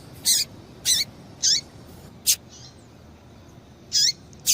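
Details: Female double-collared seedeater calling to stimulate a male: six loud, short, high chips roughly every half second to second, several with descending hooks, with a brief pause midway.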